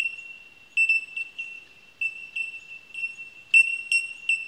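Bell miners give pure, ringing tink notes, like a struck bell, repeated every half second or so over a steady high tone from other birds in the colony.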